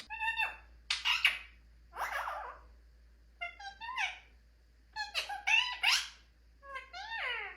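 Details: A pet talking rose-ringed (ringneck) parakeet chatters in short, squeaky, speech-like bursts, about eight phrases with rising and falling harmonic tones, indoors with a low hum.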